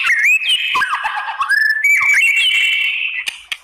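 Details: Shama song played to draw rival white-rumped shamas into answering: rich overlapping whistles and warbled slurs, some dipping low, then a sustained high whistle ending with two sharp clicks.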